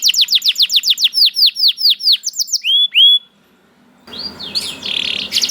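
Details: Canary singing a rapid tour of about a dozen identical high downward-sweeping notes, then a few rising whistles. A short pause follows, then a harsher noisy buzzing passage with some background rustle.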